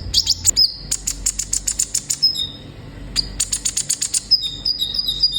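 A sunbird sings very high, rapid trills in two bursts, each with a quick run of sharp chips and thin piping whistles, against a quiet background.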